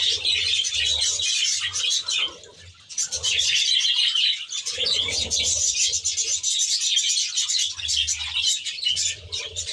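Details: Australian budgerigars in an aviary chattering in bursts, with dense high warbling and chirping that dips briefly near the second mark before resuming strongly, while a low humming drone comes and goes beneath.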